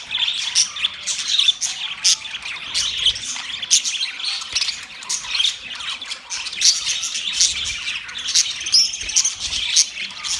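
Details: Budgerigars chattering in mating sounds: steady high-pitched raspy squawking and clicking tweets, dense and continuous, with bright short whistled notes scattered through.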